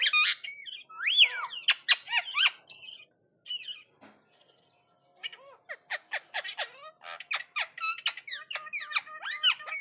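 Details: Indian ringneck parakeet responding to another parrot, a rapid run of sharp, high squawks and rising whistled notes, pausing briefly midway before resuming in quick bursts, indoors.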